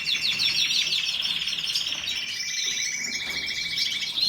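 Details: Canary singing a varied run of rapid trills, steady buzzy rolls and quick descending notes, layered and continuous, with a short louder burst at the close.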